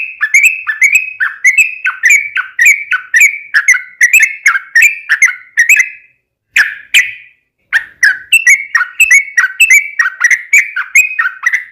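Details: Yellow-vented bulbul song used as a lure to make other bulbuls sing: a long, continuous run of quick, bubbly chirping phrases with rising and falling notes, repeated rapidly, with one brief pause midway.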